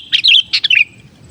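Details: Sooty-headed bulbul lure song: a pair of quick, cheerful phrases of tumbling fluty notes, the second trailing off in a thin level tail, clear and close with no other sounds.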